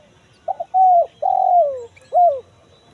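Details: Spotted dove calling in the kuk 1 mersik pattern, a lure said to be answered quickly by wild forest birds: two quick stutters, a level coo, a long sliding coo, and a short curved final note.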